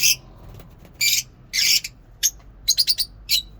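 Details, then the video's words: Shrill lovebird calls at a mini zoo in the morning: a few longer, harsh screeches, then a quick cluster of four sharp chirps and one final squeak. "Lovebirds singing in mini zoo"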